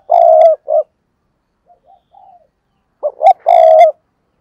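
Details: Decoy spotted dove calling to lure wild doves: a loud, low purring coo closes one phrase, soft brief notes follow, then a full phrase of two clipped notes and a long rolling coo.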